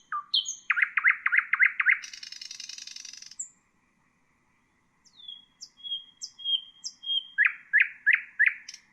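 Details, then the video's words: Common nightingale phrase used to tutor bulbuls and songbirds: short rising notes, six quick repeated notes, a long high buzzy rattle, a silent gap, slurred falling whistles, then four strong swooping notes. "تغريد طائر العندليب"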